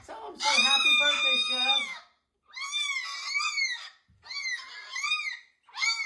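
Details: A pet cockatoo, which its owner says is upset, talks in three raspy, high, voice-like phrases, each about one and a half seconds long, with brief pauses between them.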